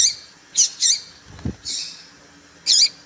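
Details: Calls of a female papa-capim (seedeater), used to provoke males: several short, high, squeaky peeps, one slightly longer and softer, with a brief low thump midway.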